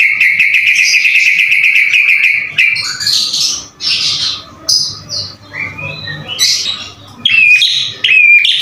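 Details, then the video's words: Murai batu, or white-rumped shama, singing hard: a fast buzzy trill gives way to varied bursts of whistles, harsh notes and clear upslurred phrases. "MASTERAN MURAI BATU GACOR SUPER JITU"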